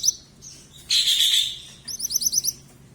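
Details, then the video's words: Young mantenan, yellow in colour, calling nonstop: a short rough, noisy burst followed by a brisk series of about seven shrill, evenly spaced high chirps. "Burung mantenan anakan warna kuning bunyi terus"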